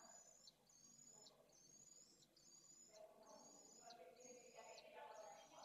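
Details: Pallid swift chicks begging for food at the nest, live camera at Esclavas de Jerez, Jerez de la Frontera, 8 September 2022: high, thin trills in bursts under a second with brief gaps, over louder rustling and scuffling in the nest.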